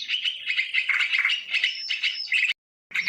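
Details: Sooty-headed bulbul in a live outdoor recording, used as a lure: rapid chattering and warbled notes with a thin whistled strand, cut by a short silent gap near the end.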